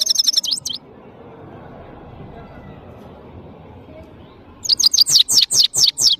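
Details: Powerful song of a European goldfinch, the saira of Parachinar: a quick high twitter cut off early, a long pause with low background hum, then a run of loud, sharp, descending chirps.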